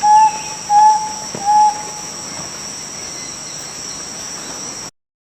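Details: An antpitta calls with three clear, mid-pitched whistled notes, each about a third of a second long and spaced about half a second to a second apart. A steady high electronic tone hums throughout, and then the sound stops.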